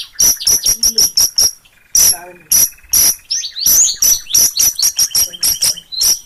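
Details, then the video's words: Long-tailed shrike singing vigorously in Gunungkidul, Yogyakarta, delivers fast runs of sharp, metallic, very high clicks and chips in quick series, with a short hoarse rattle and some twisting whistled notes between the runs. "Suara Burung Pentet Gacorrr"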